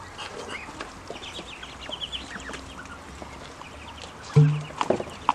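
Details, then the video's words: Grown ducklings peeping for food, a stream of soft high notes, then a sudden loud low thud and clatter near the end. "Ducklings have grown and are making more sounds, especially when hungry"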